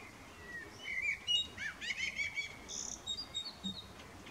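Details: At evening beneath the moon, a male common blackbird sings a short, mellow warbled phrase that breaks into a rapid run of high, squeaky twittering notes, set against a soft background hiss.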